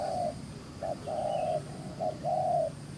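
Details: Wild-caught spotted dove in quick cooing, loud mellow coos in close sequence, short notes alternating with longer sustained ones, with a faint low hum beneath.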